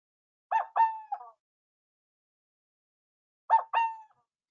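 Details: An endangered Burrowing Owl of the Saskatchewan prairie gives its cuckoo-like call: two soft, hooting coo phrases about three seconds apart, each a short double note trailing off, with nothing else heard.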